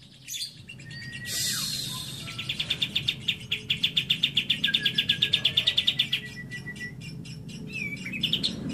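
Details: Lovebird isian cililin song, clear: a rapid series of sharp high ticking notes swelling in loudness and then fading, with a few scattered chirps and a thin whistle before and after, over steady low background rumble.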